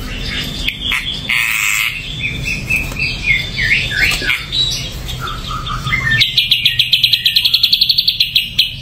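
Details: Ashy drongo singing varied phrases: slurred and warbled whistles of changing pitch, then a sudden rapid buzzy trill of quickly repeated high notes over the last few seconds.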